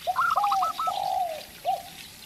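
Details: Local zebra dove, a strong singer set against a spotted dove to provoke it into calling: a quick run of short clipped notes, then drawn-out lower cooing notes and a brief final coo.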